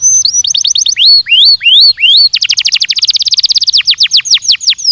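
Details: Belgian canary song from a training recording: a run of rising upswept whistled notes, then a very fast rolling trill that breaks into a string of steep downslurred notes.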